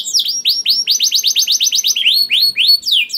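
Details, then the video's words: Canary in continuous song, used to encourage other canaries to sing: a string of loud arching upswept whistles repeated about four times a second, then slower rising notes. "PANCINGAN KENARI GACOR DOR NGEREK PANJANG INI AMPUH BIKIN KENARI LAIN BUNYI"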